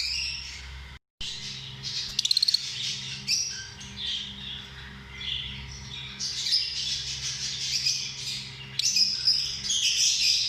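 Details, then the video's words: Lovebirds, small social parrots, calling together: a dense, continuous chatter of harsh, shrill squawks and chirps with sudden louder bursts, over a low steady hum. "Amazing sound of love birds"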